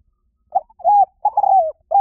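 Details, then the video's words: Spotted dove call from Thailand, used as a lure to draw wild birds in quickly. Soft, low cooing notes: a short coo, a longer smooth coo, then a drawn-out falling coo, with another beginning at the end; clean, quiet background. "เสียงนกเขาใหญ่ หมานๆ ต่อเข้าเร็ว ป่าไหนก็เข้า"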